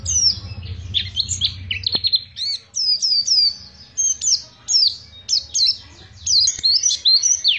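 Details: Pacitan, the Oriental white-eye, in long ngriwik song: high thin sliding notes in twittering groups, spaced bursts of descending slurs, a couple of sharp clicks and low hum early on.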